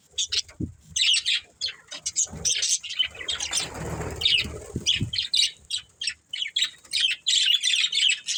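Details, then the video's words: Budgerigar breeding pair giving busy, rapid chirping: clipped high squeaky notes in irregular clusters, with a brief rustling noise midway. "Beautiful Budgies Chirping Sounds"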